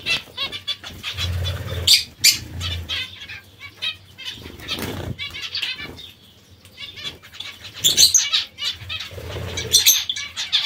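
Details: Zebra finches taking vegetables make busy bursts of short nasal calls, a brief quieter pause around six seconds, then loud overlapping calls again, amid wing flutters and low bumps.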